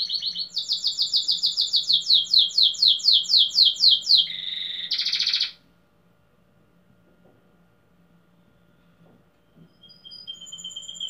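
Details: Domestic canary of the German crested (tupete alemão) class singing in a competition in Pelotas, Rio Grande do Sul, Brazil: a fast series of about fifteen repeated bright notes, then a steady trill and a short buzzy burst, followed by quiet with faint later notes.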